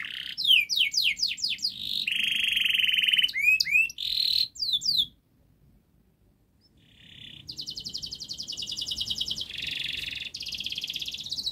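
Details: Song of a domestic canary used to coax young birds into singing: rapid downslurred notes, a low rolling trill and upswept whistles, a pause of near silence, then renewed buzzy high trills and chatter.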